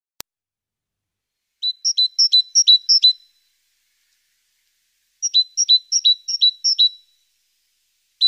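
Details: Great tit around its nest box on a morning of 14 April, webcam recording: bright two-note high phrases, higher note then lower, repeated five times in a quick run, then a second matching run after a pause.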